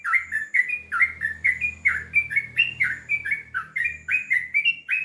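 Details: Sooty-headed bulbul in a long rolling song of quick, liquid, down-slurred whistles, strung together at a steady pace of roughly four notes per second, with faint low hum beneath.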